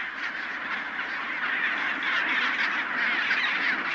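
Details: A dense, steady din from a big chinstrap penguin colony on Deception Island, Antarctic Peninsula: many birds give harsh, braying squawks at once, overlapping several times a second with no pause.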